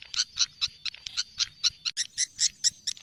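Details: Swiftlet calls from Indonesia, shared for swiftlet farmers: a steady series of short, bright, chirping clicks, about five per second, with a faint low rumble underneath.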